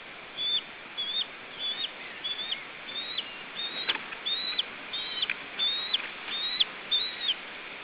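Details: Lesser spotted eagle at a nest in Estonia, 29 July 2013, captured by a nest camera; a series of high, sharp yelping notes with quick downward slurs, repeated about every 0.7 seconds over steady background hiss.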